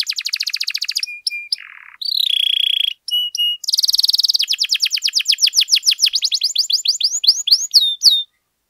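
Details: Canary song for tutoring and triggering other canaries: a buzzy trill, short flat whistles, a low rattle, then a loud bubbling roll breaking into rapid descending swept notes that slow toward the end.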